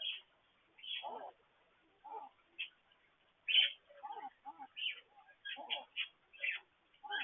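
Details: Pet parakeets at a water fountain in the morning, recorded by a petcam, chatter in quick bursts of squeaky chirps and scratchy warbles, several notes a second with short pauses between.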